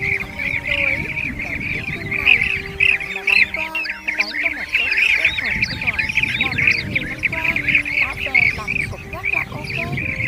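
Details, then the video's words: Lure recording of blue-tailed bee-eaters calling their flock to feed and roost: dense, overlapping rolling trills in a constant chorus, some louder bursts around the middle, with steady humming tones and low background rumble throughout. "Tiếng Trau Trảu Mới Nhất Hiện Nay 2021 - Bản Trảu Gọi Bầy Ăn , Và Gọi Ngủ"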